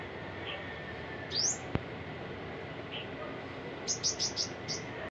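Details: Olive-backed sunbird, 7 October 2022, giving thin, very high notes: a rising sweep, then a quick run of five sharp chips, over steady background rumble and one click.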